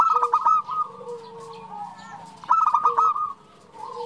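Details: Zebra dove female calling a male: two short bursts of purring coos separated by a low, steady drawn coo, with faint background hum.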